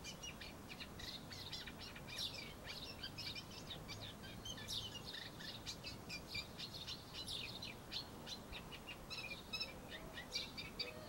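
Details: Eurasian reed warbler in a laurel, delivering a long unbroken chatter of scratchy, clicking and churring notes, repeated in twos and threes at a steady, hurried pace, with soft ambient noise beneath.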